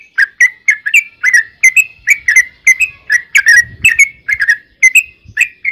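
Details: Steady series of crisp, whistled chirps from a yellow-vented bulbul, repeated about twice a second with slight variation in pitch, over a quiet background with occasional faint thumps.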